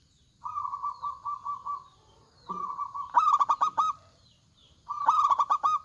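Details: Local zebra dove (perkutut) lure song with males and females answering. Soft, even, bubbling purrs give way to two loud bursts of rapid, clipped coos.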